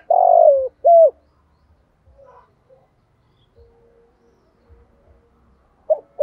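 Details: Spotted dove cooing as a full-song lure for training caged young doves. Two loud, husky coos open the passage: a long, slightly falling note, then a shorter one. After a quiet gap, a brief note begins another phrase.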